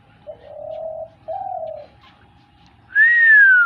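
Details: Hunting dove giving two steady, mellow low coos of about half a second each, then a loud descending whistle sweep.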